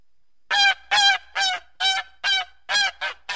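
A goose honks loudly in a steady series, about seven harsh, nasal, harmonic-rich honks spaced roughly half a second apart.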